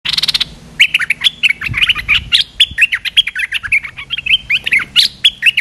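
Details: A large resident Streak-eared Bulbul, lured down by playback calls, gives an opening burst of quick dry clicks, then a rapid run of sharp, scratchy chirps, several per second.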